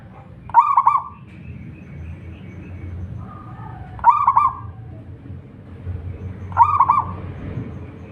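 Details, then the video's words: Local wild zebra dove in full song, three mellow, bubbling coo phrases with quick rolling notes, each repeated roughly every three seconds, over steady low background noise. "perkutut lokal gacor / suara merbok suara perkutut merdu"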